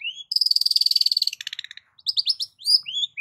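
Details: Long-tailed shrike lure song with rich song variations: a rising whistle, then a rapid buzzy trill of about a second, followed by scattered bright up-and-down whistled notes.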